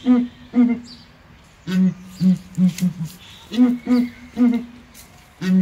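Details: Captive Southern ground hornbills in a small zoo enclosure at ARTIS, jamming together in deep booms: paired higher notes answered by a lower series of five or six booms, with the higher pairs returning.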